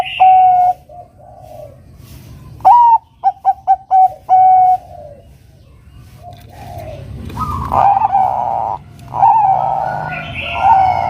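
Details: Zebra dove of the Bangkok strain singing energetically to lure a rival into song. A long coo, then a rising note with quick stuttering coos and a held tone, followed by overlapping louder coos and background hum.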